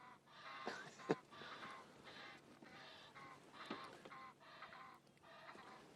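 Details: A pair of Egyptian geese trade harsh, honking cackles at dawn near mud in Sabi Sands, South Africa, on 19 August 2016, about seven raspy bursts in quick succession; said to be the female calling with the male answering.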